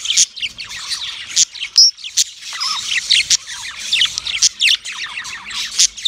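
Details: Yellow male budgie chirping in mating song: a dense, continuous warble of rapid chirps, clicks and scratchy notes with short whistled slurs, chattering without pause.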